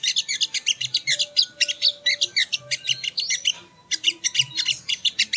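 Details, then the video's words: Sogon, also called sogo ontong, singing on a bird-training recording: rapid bursts of high, dry chirps and twittering notes, packed densely with a brief pause near the middle, plus faint low thumps. "Masteran Burung Sogon ( Sogo Ontong )"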